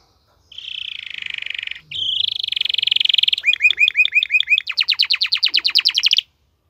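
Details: Canary, a domesticated cage songbird, male singing: a long buzzy trill, a brief pause, another rapid trill, then a series of fast looping whistled notes and a quick repeated rattling phrase, all bright and high.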